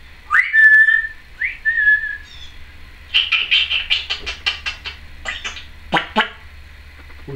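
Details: Pet Timneh African grey parrot, a female recorded indoors in 2012 making various noises: two rising whistles that level off, then a rapid run of about a dozen sharp clicks and chirps, ending in harsher squawks, over faint low hum.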